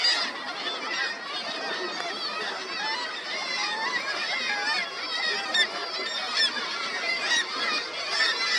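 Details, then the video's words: Black-legged kittiwake breeding colony on seafront buildings in Ålesund, Møre og Romsdal, Norway, on 16 July 2024: a dense chorus of harsh nasal cries overlapping without pause. "Colonia de cría de Gaviota tridáctila"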